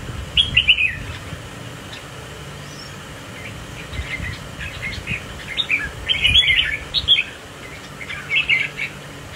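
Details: A spiky-crested Red-whiskered Bulbul in a cage, swaying while displaying with a competition group. It sings an opening whistled phrase, pauses, then bursts into a longer series of jumbled, chirpy warbled notes.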